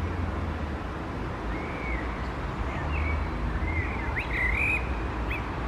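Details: Blackbird song heard faintly over steady low background rumble: soft, drawn-out whistled notes, then a brief squeaky flourish with high twitters near the end.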